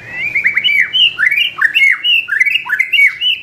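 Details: Caged white-rumped shama in a rapid, loud song of rich slurred whistles dropping and rising, notes tumbling over each other with hardly a gap, meant to stir other birds into singing.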